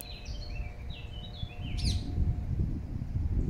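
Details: A Eurasian blackcap (Sylvia atricapilla) sings in Regent's Park, London: a quick phrase of clear, varied whistled notes jumping between pitches, ending in a sharp rising flourish, over steady low rumbling background noise.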